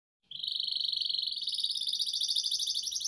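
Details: Canary lure and master song for training young canaries: one long, fast rolling trill, buzzy and even, holding steady at a high pitch for about three seconds after a sudden start.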